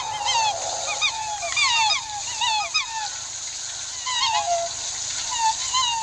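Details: Several Australian black swans trade high, bugling honks, short rising and falling notes that overlap in quick bursts throughout, with a faint steady hiss behind.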